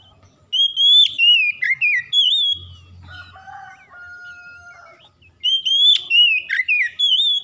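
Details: Oriental magpie-robin (kacer) delivering loud, varied whistled phrases with quick slurs and drops, a quieter stretch of softer steady tones in the middle, then a fresh burst of the same bright whistling.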